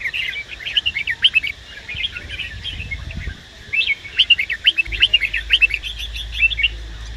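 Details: Male red-whiskered bulbul stimulated by a female gives energetic chirping phrases, a brief lull around the middle, then a stronger run of crisp, repeated whistled notes with a faint low hum.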